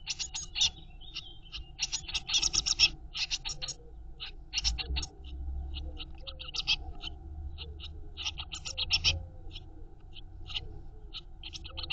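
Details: Eurasian blue tit chicks begging in a nest box as their mother feeds them: dense bursts of high, hissy, scratchy calls in rapid clusters, with a low steady hum and faint lower chirps underneath.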